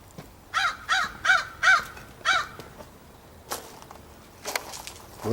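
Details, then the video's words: A crow perched on a post, recorded on 16 September 2014 near a backyard, gives five harsh, harmonic caws in a quick series over about two seconds, then falls quiet before a person's voice and faint handling noises follow. "the Crow cawing on the post"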